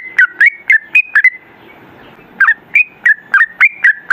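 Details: Sooty-headed bulbul (trucukan) in gacor, long 'ropel' style song, recorded as a lure to prompt other bulbuls to sing: bubbly, liquid whistled notes in a quick run, a short pause, then another run of about eight notes.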